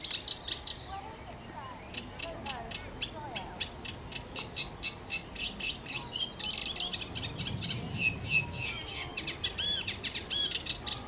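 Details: Eurasian reed warbler at the London Wetland Centre, giving a long, rapid stream of clicking, chattering notes, several each second, with brief whistled phrases near the end over a low background rumble.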